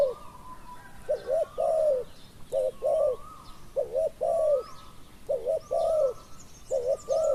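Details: Spotted dove decoy luring a wild dove that arrived late; five rhythmic phrases of paired short coos and a long croon, accompanied by a repeated thin rising whistle from another bird.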